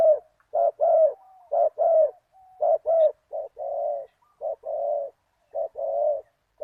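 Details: Decoy spotted dove calling toward a targeted wild bird in the 'big voice, one kuk' style: a steady run of low, mellow coos in pairs, a clipped note followed by a drawn-out one, plus faint soft tones between phrases.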